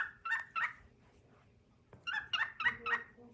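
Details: A cockatiel male sings for his mate: two gritty chirps, a long pause, then a quick run of four raspy notes.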